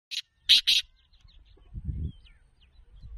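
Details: Black francolin (kala teetar) calling: a short harsh buzzy note, then two loud grating, broadband bursts in quick succession, followed by a quiet outdoor background with a low rumble.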